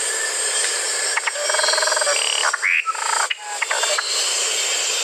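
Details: Musician wren giving clucking, rattling notes and a short buzzy series, broken by a quick rising whistle. A steady high insect drone runs throughout.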